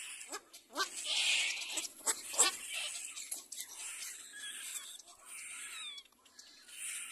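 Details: Baby little black cormorant cleaning itself, giving a quick run of sharp clicking, rasping notes early on, then thinner squeaky calls with a steady hiss behind.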